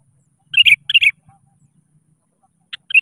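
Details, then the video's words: Sooty-headed bulbul calling rivals, a lure recording for bulbuls that rarely sing: two quick bubbly chirping phrases, a short silence, then another phrase begins, with a faint low rumble underneath. "SUARA PANCINGAN.‼️ Kutilang Gacor Memanggil Lawan."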